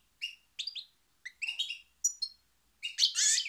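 European goldfinch song: quick bursts of bright, tinkling twitters and buzzy trills, about six phrases in under four seconds, over a quiet background.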